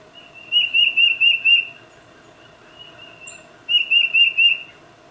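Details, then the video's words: Tufted titmouse calling for its mate, shot with a Nikon D800 and 600mm lens: a five-note whistled phrase, a quieter thin whistle, then a loud four-note phrase, notes repeated about twice per second. "Tufted Titmouse Calling Its Mate"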